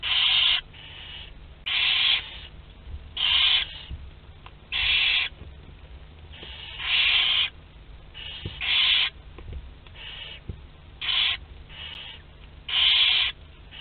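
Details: Young barn owls, 2 to 12 days old, feeding together in Théding on 29 April 2021: a steady run of rasping, hissing screeches, each about half a second, roughly one every second or so, overlapping callers, faint ticks between.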